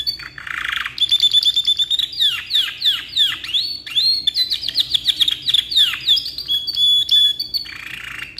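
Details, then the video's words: Long canary song suited as a tutor for young birds, with a rapid series of descending whistled sweeps, sustained bright tones and brief buzzy passages, steady and loud throughout. "KENARI HARGA 1500NT‼️GACOR KICAU PANJANG COCOK BUAT MASTERAN"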